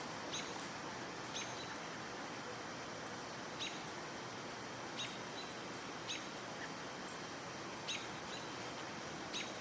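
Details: On 30 July 2022 near a swamp, American Robins give sharp, clipped chips at irregular intervals, possibly in reaction to a nearby animal. A faint, thin, high whistle sounds between them over a steady background hiss.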